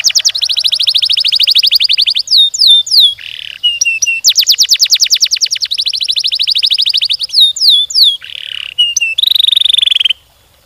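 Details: Long canary song with rapid rolling trills lasting several seconds, interspersed with sharp downward whistles and short buzzy churrs, repeated in alternating phrases before stopping abruptly.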